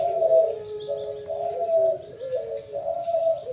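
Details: Perkutut Bangkok zebra dove kept at a bird farm: continuous, smooth, mid-pitched cooing in linked phrases that step slightly up and down, with soft chirps faintly behind.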